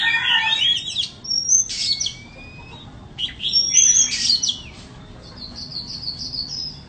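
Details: Chích chòe than bông, the white-rumped shama, delivers two loud bursts of whistles and sharp sweeping notes separated by a quiet pause, then a softer run of quick high trilled notes.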